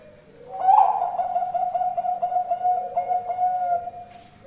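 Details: Bangkok-type zebra dove used as a lure to make other doves answer: a low, rolling cooing note that starts abruptly, then holds for about three seconds as a steady, slightly trilling hum before fading. A faint high hiss is in the background.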